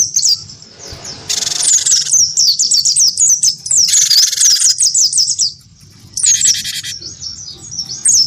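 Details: Wingko gelatik batu goaded by a white-eye into fighting song: rapid looping high chirps interrupted by three harsh broadband rattling bursts, with a brief lull near six seconds.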